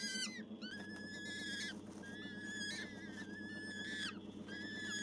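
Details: Gyrfalcon hybrid from a falcon breeding operation gives repeated long, wailing calls with a sharp opening, a level middle and a downward-sloping end, about three in five seconds, over a low steady hum.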